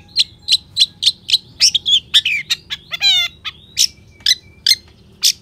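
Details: A long-tailed shrike, a strong champion-type singer used as a lure and tutor recording, sings a fast, varied run of sharp high chips and slurred whistles, about three notes a second, with one brief descending rattling trill.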